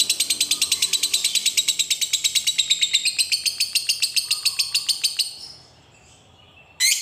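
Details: Long ngekek chatter of a lovebird, meant to get other lovebirds singing: rapid, rhythmic harsh notes repeated steadily for about five seconds, then fading out into quiet before a short burst at the end.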